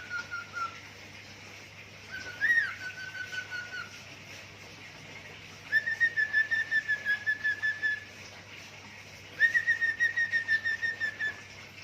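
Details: Pet budgerigar that enjoys singing, mimicking zebra dove and gecko: a falling whistle, a high upslurred note, then two bursts of fast, regular, beat-like whistled pulses near one pitch, with a constant low hum.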